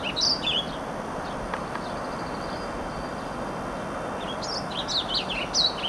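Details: A Warbling Vireo, recently arrived on May 16, sings on territory in riparian habitat along the Clark Fork River, Missoula, Montana, giving brief, rambling, high warbled phrases, one at the start and a longer burst near the end, over a steady background roar.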